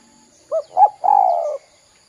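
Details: Spotted dove lure call to make young birds call. Two brief coo notes lead into one long, slightly quavering coo that slowly drops in pitch.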